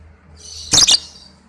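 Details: Lovebird ngekek trill song, a master recording for training pet birds: a shrill, high buzzy trill of about a second, broken midway by two sharp, loud, harsh chirps in quick succession.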